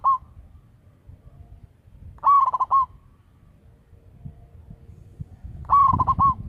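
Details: Zebra dove of a local strain, a loud-voiced lure bird. Repeated coos: an upward-sliding note, then a fast series of soft pulses. Phrases are spaced a few seconds apart over a faint low hum.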